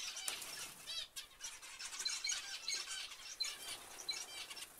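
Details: A flock of zebra finches with overlapping nasal honks and sharp squeaky notes, rising and falling in a constant chatter.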